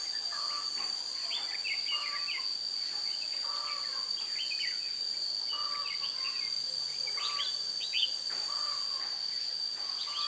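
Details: Red-whiskered bulbul recorded during trapping with a decoy bird on 16 June 2017: short warbled, chirpy phrases repeated throughout, partly overlapping, under a loud steady high insect drone.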